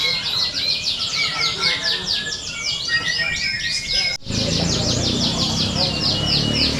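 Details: Simulated canary contest for training. Rapid, descending trill notes repeat in quick series from many birds, with a sharp cut partway, then the chorus resumes over background chatter.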